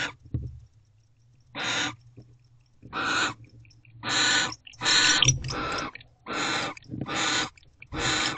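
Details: Barn owl pair mating inside nest box Owl Box C at 12:44 am, 29 December 2023, after the male's return. Rasping, breathy hiss bursts repeat roughly once a second, seven in a row, with short silent gaps between.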